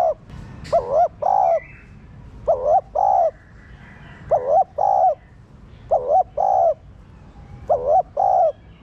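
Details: Repeated coos of a spotted dove, meant to excite captive doves to coo: paired mellow notes, the first bending, the second held, repeated roughly every one and a half seconds, over a soft noisy background with occasional faint chirps.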